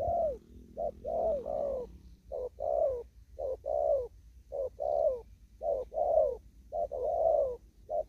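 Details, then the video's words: In an upland field in Kon Tum, a spotted dove repeats quick 'thúc gù' coos: short-long pairs, the second note round and falling, about eight phrases in eight seconds over quiet low hum. "Cu Gáy. Đồng thúc gù."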